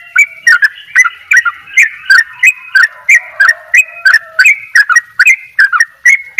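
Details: Yellow-vented bulbul, Bali type, delivering a fast 'dobel ropel' song: a continuous stream of clipped, bright chirped notes roughly three per second, each starting with a crisp click, over soft sustained whistles.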